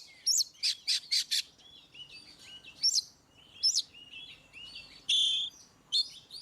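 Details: Oriental magpie-robin singing, used to prompt birds that rarely sing into responding: a quick run of four buzzy high notes, then scattered whistled and rising phrases, one harsh rasping burst near the end, quiet background.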